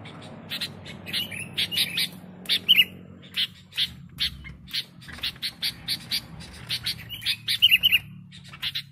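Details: Lure sound of a lively sooty-headed bulbul: short sharp chirps repeated roughly every half second, with a few whistled slurs mixed in, over faint background rumble.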